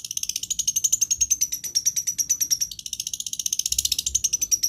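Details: Long-tailed shrike imitating other birds' voices. A continuous rapid high trill of pulsed notes about ten per second holds a steady high pitch throughout, with no other sounds.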